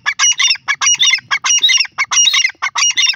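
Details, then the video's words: Grey francolin from Pakistan giving loud, harsh, broadband squawking notes in rapid clustered bursts, about one and a half per second, each burst a grating chatter of several syllables, with quiet gaps between and no other clear sounds. "the teetar ki awaz of pakistan best teetar birds sounds"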